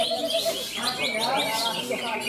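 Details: Greater green leafbird (Chloropsis sonnerati) named Dargombes, the first-place winner at a songbird contest in Malinau, North Kalimantan: a rapid, varied run of bright chirps and slurred whistles, with other birds and people's voices in the background.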